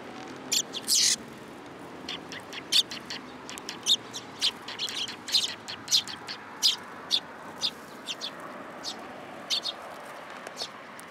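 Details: Several sparrows flock onto a person's hand at a Tenmangu shrine, 8 July 2022, producing a steady patter of thin, high chirps, many short notes overlapping through the recording.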